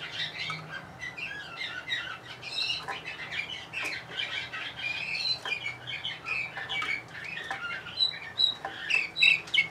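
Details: Bulgarian canary, Orpheus type, Sofia 2020, singing a continuous run of high chirps, quick trills and thin whistles over a faint low hum.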